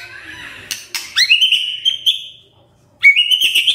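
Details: Magpie-robin (murai) singing in a recording made to stir caged birds into full song: long clear whistled notes, slightly rising, broken by sharp clicks and a short pause, then another bright whistle.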